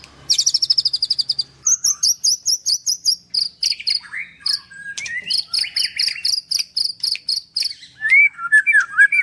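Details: Nembak-style song of a white-rumped shama at a Kendal bird farm: a quick trill of high notes, then a steady series of sharp repeated chips, ending in lower looping whistles.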